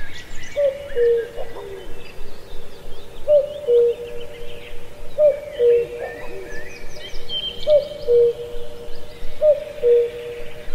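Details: Cuckoo singing in a lush ancient deep forest at Pallandri, Azad Kashmir: a two-note cu-coo with the second note lower, repeated five times about every two seconds, while other birds chirp and twitter higher up.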